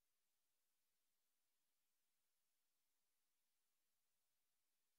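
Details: Near silence throughout, only a faint even hiss with no animal sound.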